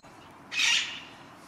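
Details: An Alexandrine parakeet in a neighbour's walnut tree beside a garden with bird feeders, in autumn after a frosty night, gives a single loud, raw, rasping squawk lasting about half a second.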